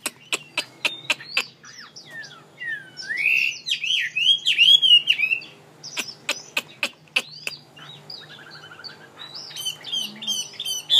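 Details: Mi, a songbird kept as an ornamental bird in Vietnam: sharp clicks open the recording, then a looping, wavering whistled warble, more clicks, and quick high chirping notes toward the close.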